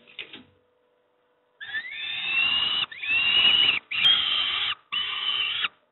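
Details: Young peregrine falcons at Moszna-Pruszków being fed breakfast: after a short pause, long harsh wailing screams, each lasting about a second, following one another with brief gaps.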